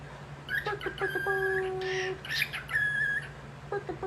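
A cockatiel gives clear, steady whistles mixed with short chirps and squawky notes.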